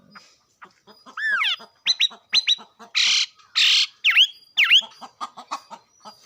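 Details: A bird gives a mixed run of squawks, rising and falling harmonic whistles and short buzzy bursts, with faint ticking notes repeated between the louder calls.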